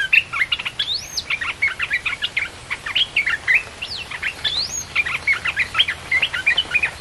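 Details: Red-whiskered bulbul song, played to lure wild birds: a steady, busy flow of bright whistled and chirped notes, broken by occasional higher rising slurs.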